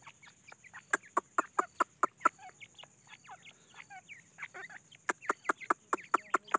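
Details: Foraging Grey francolin chicks give busy, thin chirping peeps, many short rising and falling notes, mixed with a steady series of crisp clicking taps about twice a second.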